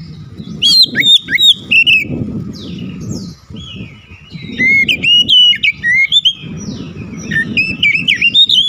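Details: Oriental magpie-robin, a lure recording meant to make other birds sing, bursting into varied loud whistled phrases: sharp rising and falling notes mixed with buzzy trills, in quick bursts, over a steady low rumble of background noise.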